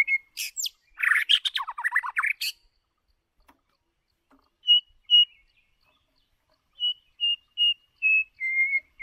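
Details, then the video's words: White-rumped shama, a lure bird used to train singing, opens with a dense burst of scratchy, buzzy chatter and whistles. After a pause come two clear notes and then a string of short whistles that drop gradually in pitch. "Chòe lửa Mồi hót cực đỉnh ✦ Luyện giọng chòe lửa"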